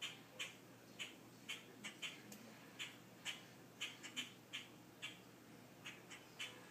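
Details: Grackle recorded on a mobile phone, giving short, sharp, dry chack notes repeated roughly every half second in an uneven rhythm, over faint steady background hiss.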